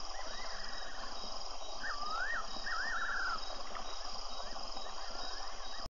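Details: Fiery-necked nightjar, Tembe, February 24, webcam recording: one bright phrase of arched whistles running into a fast wavering trill that drops in pitch, with softer whistles and steady noise behind it.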